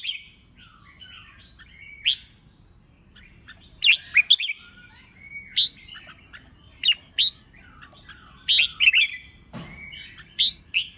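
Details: Red-whiskered bulbul delivering contest song in 'ché chét' style to rouse rival birds. Bright whistled and chirped notes come in bursts, sparse at first, then denser and more urgent toward the end, with one brief broad noise burst.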